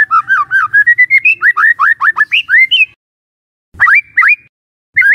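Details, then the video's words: White-rumped shama lure song to provoke other shamas, a fast sequence of rising whistled notes climbing in pitch over about three seconds, then silence broken by a few separate upslurs. "Dalam Hitungan DETIK Murai Cepat NYAMBAR❗ Pancingan Murai Batu"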